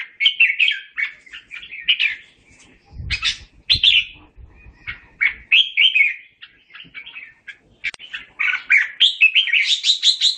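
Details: Red-whiskered bulbul calling the flock with a long, chattering warbled song of clear fluttering notes, a short soft thump in the middle, ending in a fast, high twittering flourish.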